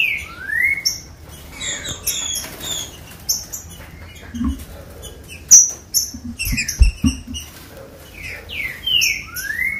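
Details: Green-winged saltator song, used to warm up and stimulate captive birds to sing: loud rising slurred whistles open and close the passage, with many short high chips and twitters from other birds and occasional low thumps between.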